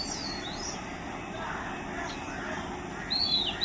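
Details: Oriental magpie-robin at Mormugao Harbour, Vasco da Gama, giving high whistled song phrases: sliding notes at the start, then a bright, clear whistle that bends downward near the end, over a steady low rumbling background hum.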